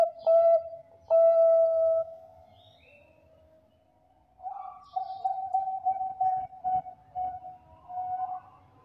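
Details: Bangkok zebra dove in full song, kept as a lure for other doves: two clipped coos and a sustained pure note, a quiet pause, then a stretch of softer wavering, stuttering cooing notes.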